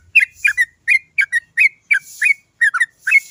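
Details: Sooty-headed bulbul song used to lure other bulbuls into singing. Paired and tripled whistled notes, slurring downward then flicking up, come in uneven groups roughly every third of a second.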